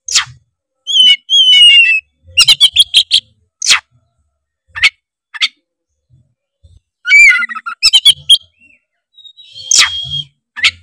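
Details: Oriental magpie-robin from Tretes singing loudly and continuously, used as a lure to stir rival magpie-robins into song: rich whistled phrases, rising and falling notes and rapid chattering bursts separated by short pauses.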